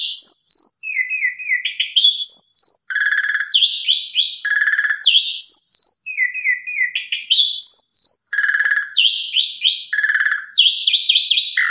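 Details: Energetic Asian pied starling song meant to coax less active starlings to sing, showcasing its learned repertoire; a phrase of high whistles, stepped chirps and buzzy trills repeats three times in a continuous, loud sequence.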